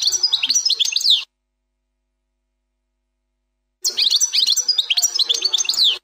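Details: Error-free 'plak mine' song of a European goldfinch: dense, high, chattering twitters and slurred notes in two bursts separated by a silent pause of roughly two and a half seconds.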